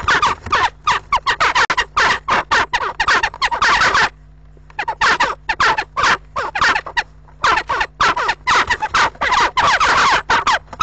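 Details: Western jackdaws fight vicious battles at a nest box on an April 7 afternoon as a pair defends its nearly finished nest, a harsh, frantic volley of chattering squawks, dozens of rapid bursts with two brief pauses.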